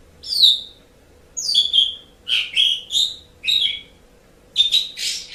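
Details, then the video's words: Asian pied starling singing, meant for teaching pet birds: phrases of loud clear whistles and slurred chattering notes, each about half a second, repeated roughly once a second with brief pauses. "Suara Burung Jalak Suren"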